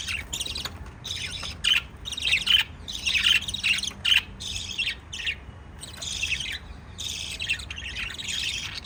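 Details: Caged lovebirds feeding chicks give bursts of sharp chirps and squawky chatter, the loudest run between two and four seconds, then several pauses and softer twitters.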